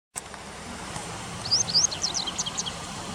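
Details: Japanese wagtail along a river, late August 2020; a quick run of high, thin chirps, each a sharp rising-then-falling note, given in a burst of about eight notes over a faint hiss.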